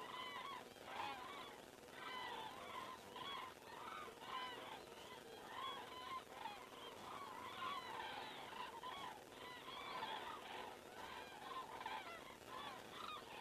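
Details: Evening flyover of common cranes in Estonia, 19 September 2017 at 19:10, caught on a crane camera: a continuous chorus of overlapping bugling calls from many birds, rising and falling, with almost no gaps.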